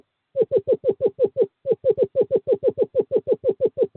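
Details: Courting-season call of a male screech owl luring a female to a nest box on 2/11/2023. After a short silence, rapid hooting notes tumble out about three per second, with one brief break midway.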